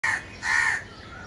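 A crow gives two harsh, hoarse caws, a short one then a longer drawn-out one, with faint background hiss.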